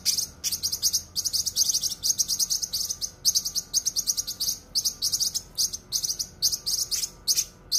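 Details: Sharp, dense cucak kinoi song for training cage birds: sustained rapid high twittering, phrases broken by tiny pauses, a steady electrical-like hum faintly present throughout.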